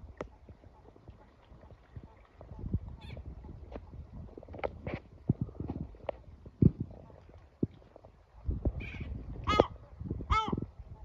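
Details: Male yellow-legged gull screeching at his chicks after feeding them, urging them into their shelter; two loud harsh harmonic screeches close together near the end, after a stretch of low rumbling and scattered knocks.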